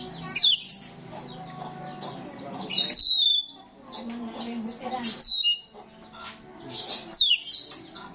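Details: Starling singing energetically, recorded to attract starlings: repeated bursts of high, piercing whistles that sweep downward, about every two seconds, mixed with buzzy chatter and softer twitters between phrases.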